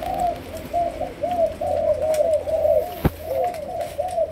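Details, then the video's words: Malaysian spotted dove, young and in training as a decoy, produces a dense string of low rolling coos with a single sharp click partway through. "Cu Malaysia. Chim tơ nổi, tập lên mồi"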